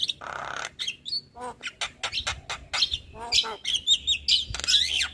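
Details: Javan myna, a white-eyed jalak kebo, singing. The song is used to prompt lazy birds to sing regularly. Harsh squawks, buzzy rasping notes, clicks and high thin whistles follow in a rapid, irregular jumble, with brief pauses between bursts.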